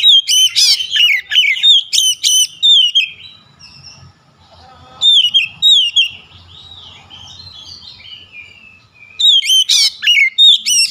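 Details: Oriental magpie-robin song used as a lure to set off a rival bird singing: loud whistled phrases mixing rising and falling notes with quick chattering bursts, delivered in three clear bouts separated by short quiet gaps.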